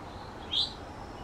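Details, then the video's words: Eastern towhee foraging on the ground on a backyard lawn in the mountains of North Carolina in the morning, giving a single short high-pitched whistle over steady low background noise. "Eastern Towhee Whistle Call"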